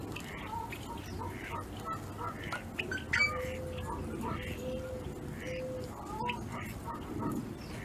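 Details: A group of male and female yellow-headed blackbirds calling while eating from feeders at Henderson Bird Viewing Reserve, Nevada, gives a busy run of short, harsh chucks and clicks, overlapping irregularly, over a low rumble.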